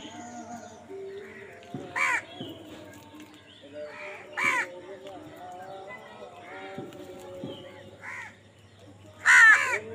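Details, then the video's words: Crows squabbling for food give short, harsh caws spaced a second or two apart, some louder and closer, with faint chatter of other birds and low background hum between calls. "কাকের ডাক Crow Sound Crow ki Awaz Loudly | Crow bird Fight for Food"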